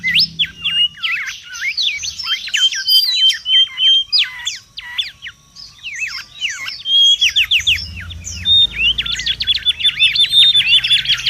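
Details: Mangrove whistler in the wild, noisy lure and tutor song: loose scattered sweeping notes and whistles, building after several seconds into a dense fast trill with level whistled tones.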